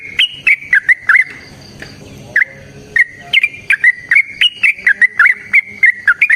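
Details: Yellow-vented bulbul in fighting 'ropel' song, used to make other bulbuls sing: rippling, liquid notes in quick series, a short pause with faint background tones, then a long unbroken run of bubbly phrases.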